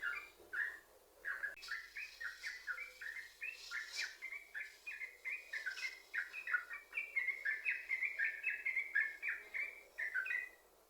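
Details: Yellow-vented bulbul singing a long connected chain of bubbly chirps, played as a lure to make other bulbuls sing. The notes quicken and rise slightly toward the end, with occasional faint clicks.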